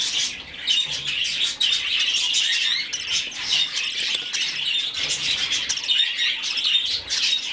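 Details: Budgerigar chick during hand-feeding gives continuous scratchy, wheezing chatter, pulsing quickly with a few thin whistled notes mixed in.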